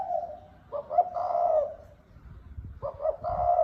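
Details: A spotted dove repeats its 'thúc bổi' coo: twin short notes and a long, low purr, heard twice with a brief gap.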